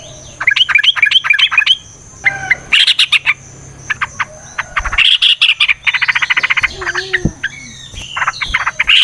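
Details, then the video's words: Yellow-vented bulbul giving a long fighting song used to provoke other birds into singing: dense, busy chattering with rapid bubbly notes, buzzy rattled trills and quick whistled phrases, bursts following each other almost without pause, and a thin steady high tone behind. "TRUCUKAN GACOR TARUNG ROPEL PANJANG"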